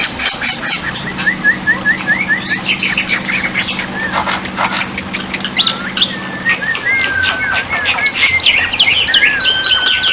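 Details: Black-winged myna song played to prompt quiet birds to respond: a run of five quick rising whistled notes, then grating squawks, rattles and wavering whistles, a low hum fading out midway.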